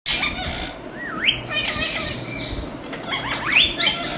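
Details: Pet Indian rose-ringed parakeet being taught to talk: wavering, harmonic chattering phrases with sharp upswept squeaks, mixed with clicks and quick rustles over a steady low hum.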